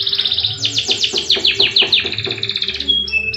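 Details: Canary (kenari AF) in full rolling song with long shooting trills: a fast, dense trill of rapid downward sweeps runs for nearly three seconds and ends in a sustained note, over a low background hum.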